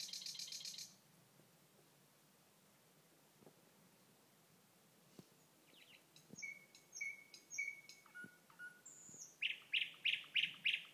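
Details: Common nightingale singing in eastern Bornholm in May: a loud buzzy burst, a quiet pause, then pure whistled notes, short high clicks and rapid trilled phrases growing louder toward the end.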